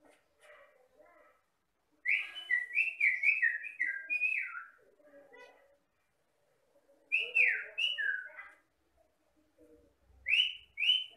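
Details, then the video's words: Jalak batam myna giving loud, slurred whistles that rise and fall in quick runs, separated by quieter chattering and pauses. "MASTERAN BURUNG JALAK BATAM GACOR"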